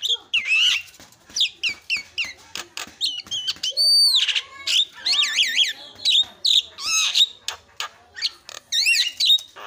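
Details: Javan myna lure song for birds stuck in silence, to get them singing fast: varied rich whistles, wavering trills and sweeping slurred notes mixed with clicks, loud and almost continuous for ten seconds.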